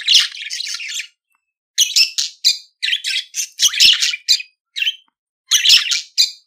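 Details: Singing budgerigar in a recording to teach budgies: dense bursts of harsh, chattering warble with clicks, each lasting about a second, separated by short silences.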